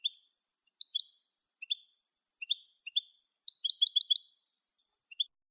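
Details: Clean Malagueño song of a European goldfinch, meant for educating goldfinches: clipped upslurred notes repeated at short intervals, building into a quick bubbling trill near the end, then one last chirp.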